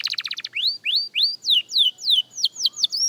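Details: Young canary at song practice: a quick stuttering trill followed by evenly spaced, clear whistled notes, first rising then falling, roughly three per second.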